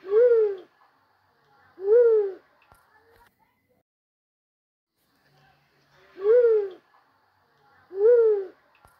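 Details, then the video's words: Hunting recording of the white-headed fruit dove, locally bawod, pangate, punai or alimukon. Four mellow, hooting coos arrive in two pairs, about two seconds apart within each pair, with a long quiet gap separating the pairs. "Bawod song pangate, punai, alimukon hunt(White head fruit dove)"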